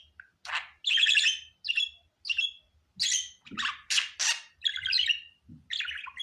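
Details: Budgerigar kept as a pet, its sound presented as a happy one: short squawky chirps and bright warbled notes tumbling in quick succession, some sharp and high, with soft low knocks beneath.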